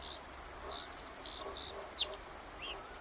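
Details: Bluethroat singing a quick, varied song: rhythmic high ticking notes mixed with short buzzy trills, swept whistles and a sharp downslurred note, all high-pitched over a faint steady background hiss.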